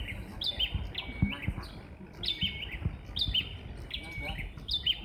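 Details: Bar-winged prinias answer each other as if competing over who sounds louder, giving high, bright chirping phrases about once a second, with a low background rumble and faint voices.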